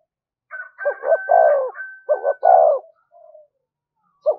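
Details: Spotted dove in 'thúc gù' style, a lure call. Two phrases of short stuttered notes and a longer falling coo, overlaid by a faint steady higher whistle, then a soft trailing note and a final clipped start.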